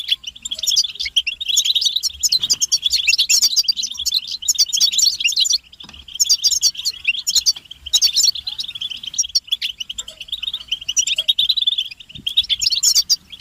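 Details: Collective European goldfinch twittering used to stimulate singing and end a male's silence; a long, busy stream of high, jingling chirps and rapid trills with louder flurries, a short lull near the middle, then renewed chatter.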